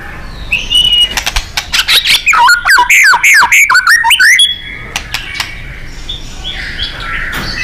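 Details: White-rumped shama (murai batu) in energetic 'gacor' and 'nembak' style, a training recording for contest birds: rapid run of loud whistled notes and sharp chips with rising and falling slurs, then quieter scattered notes.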